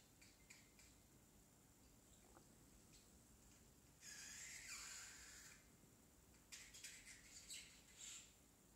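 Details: A baby pet parrotlet, still learning to talk, says "tickle tickle" with scratchy, high-pitched squawks and chatter in two bursts of a second or two each, over a faint indoor hiss.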